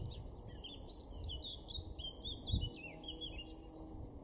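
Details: Garden recording from Weener, East Frisia, north-west Germany, April 2024: a male Eurasian blackcap gives a continuous chattering warble of short high notes rising and falling, against a faint background hum.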